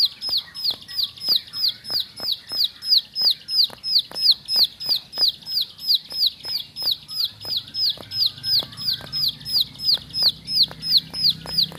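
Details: Bar-winged prinia kept indoors, repeating a loud, high, downward-sweeping chip roughly three times a second for twelve seconds, rhythmic and persistent, with scattered faint clicks.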